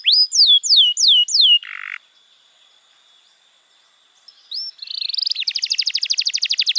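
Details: Canary tutor song for young birds: four loud downward-slurred whistles and a short buzz, a long quiet pause, then a rising note leading into a fast, even, high rattling trill.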